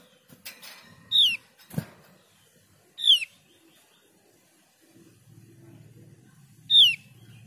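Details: Javan pied starling, played to stir a quiet bird into calling, gives three loud, harsh, downward-sliding notes at irregular intervals, with wing flutters, a sharp knock and low rumbling room noise between them.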